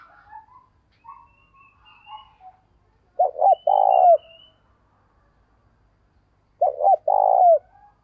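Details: Spotted dove used as a decoy to call in wild birds at morning: two repeated phrases, quick double note then a long even coo ending in a downward slur, preceded by soft twittering from other birds.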